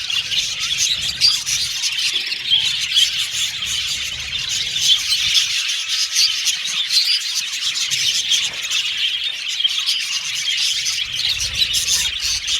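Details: Happy budgerigars chirping for lonely budgies: a long, unbroken flock chatter of high squawky chirps and scratchy warbling from many birds, with a few louder squawks standing out over a faint low hum.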